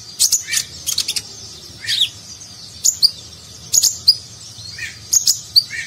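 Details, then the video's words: Konin (sunbird) in lively gacor form, sung in the nagen style as a training recording for contest birds: sharp high chirps and thin twittering notes in short bursts, with pauses of about a second between them. "Konin Gacor Isian Mewah Gaya Nagen, Cocok Untuk Masteran Burung Lomba"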